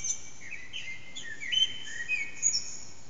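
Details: Around 4:30am an unseen Eurasian blackbird sings in an echoing backyard, recorded on an HTC Desire: a string of clear mellow whistles, upward and downward slides, ending in thin high notes, with reverberation.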